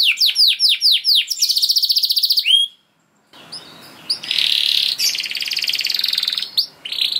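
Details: Canary, kenari, gacor song used as a singing lure: descending whistles, then a fast buzzy trill, a brief silence, and a long steady rattling trill over light background hiss.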